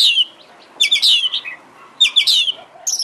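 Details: Oriental magpie-robin (kacer) lure song, meant to provoke a kacer to answer: short loud bursts of bright chattering notes and slurred whistles, roughly one burst per second.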